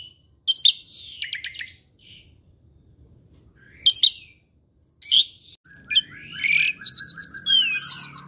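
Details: Pet Asian pied starling, a tireless singer said to pick up other birds' voices, making scattered scratchy chirp bursts, then a busy stretch of rapid trills and sweeping whistles over a faint low hum.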